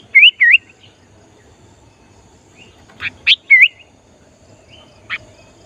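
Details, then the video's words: Sooty-headed bulbul in lively song, used to lure wild bulbuls: pairs of clear, looping whistled notes separated by pauses, with a few sharper chips between them. "Kutilang Gacor Memancing Kutilang Liar"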